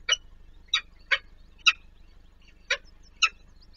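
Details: Peregrine falcon young being fed at a nest on the Palace of Culture and Science, Warsaw, Poland; six loud harsh squealing calls, spaced irregularly about half a second apart, over a low mechanical hum.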